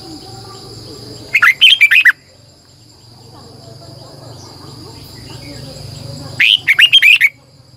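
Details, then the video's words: Red-whiskered bulbul singing in the morning, a decoy bird used to train other bulbuls, with a double twisting long voice: two bursts of fast, bright warbled notes about five seconds apart, steady hum and faint chirps between. "Luyện chào mào hót sáng 2020, Giọng kép xoắn dài hót căng, Chào mào mồi gọi bổi hót hay"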